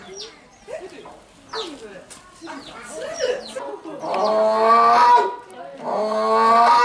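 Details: Captive grey crowned crane, a 20-year-old bird kept at a small zoo in Japan, recorded 19 March 2023: after several seconds of people talking, two drawn-out honking notes with rich stacked harmonics, the second longer and still sounding at the end.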